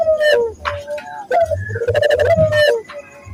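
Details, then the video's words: Barbary dove coo used as a training lure for local doves: smooth level tonal coos that slide downward at their ends, over a deep pulsing low rumble, broken by short crisp percussive clicks. "pancingan burung puter gacor, melatih burung puter lokal agar cepat gacor"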